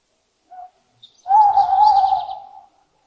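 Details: Owl hooting: a short soft hoot, a brief pause, then one long, steady, slightly wavering mid-pitched hoot lasting over a second, with faint high chirps from other birds above it.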